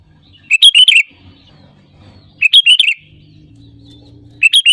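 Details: Loud sooty-headed bulbul phrases for luring other birds to sing: quick bubbly groups of four or five chirped notes repeated about every two seconds, over a soft low hum.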